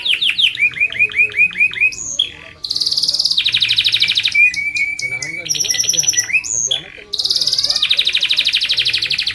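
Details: Canary singing at length as tutor and lure for other canaries: quick repeated chirps alternating with loud buzzy rolling trills and brief pure whistles, in abrupt changing sections with short pauses.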